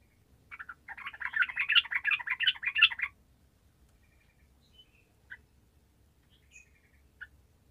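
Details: Sooty-headed bulbul in 'gacor' song, used to make lazy bulbuls respond: two and a half seconds of dense, tumbling, chattering notes, followed by quiet with scattered faint chirps.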